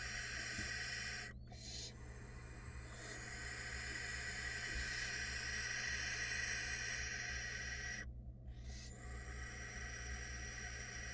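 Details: A choir of barn owl nestlings in a Florida nest box keeps up long, overlapping hissing screeches, a harsh broadband rasp that swells and fades, broken by two brief pauses.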